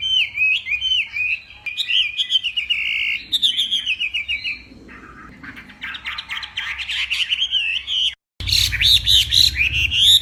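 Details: Morning duel song of a hwamei from Vietnam's Northwest: loud looping whistles and chattering runs, a brief quieter buzzy stretch, a sudden cut, then dense rapid phrases resuming over low background hum.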